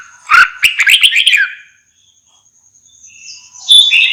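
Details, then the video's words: Red-whiskered bulbul: a quick run of bright chirped notes, a pause, then a clear whistled phrase starting near the end. "TIẾNG CHIM CHÀO MÀO"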